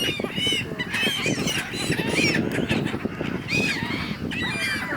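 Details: Flock of gulls squabbling on the Dnipro in Kyiv, Ukraine, January; repeated arched squeals from many birds over a strong low-pitched background rumble.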